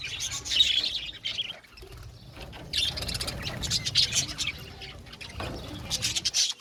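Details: Budgerigars in a colony aviary giving dense, scratchy chirps and chatter in bursts, with quieter gaps between loud flurries and a faint low rumble underneath.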